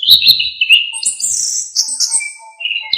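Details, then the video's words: Orange-headed thrush in full, varied song used as a master recording for training songbirds: rich whistled phrases mixed with high buzzy trills and chattering notes, delivered in quick succession. "KICAUAN ANIS KEMBANG GACOR FULL ISIAN"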